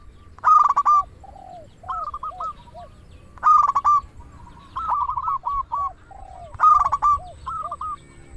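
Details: Zebra dove, a local bird, singing to prompt silent doves. Loud staccato note clusters return about every three seconds, each followed by gentle burbling coos, over steady low background noise.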